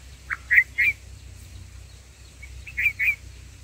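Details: Black bulbul giving short, bright chirps in two quick bursts of two or three notes, over a steady low hum, as the mother feeds oversized chicks in the nest on day two.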